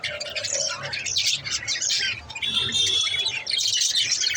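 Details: Little pet budgies chirping: overlapping busy chatter and warbling chirps throughout, with a steady whistled tone near three seconds and a low background hum.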